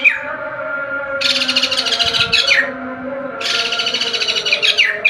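A white-crested laughingthrush gives two loud bursts of harsh, rapid chattering, each about a second and a half long, over steady thin tones in the background.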